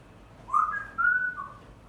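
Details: Timneh parrot, a captive bird indoors, giving a short whistled call: a clear note rising into a longer level whistle, then a softer falling tail, all within two seconds, over a faint room hum.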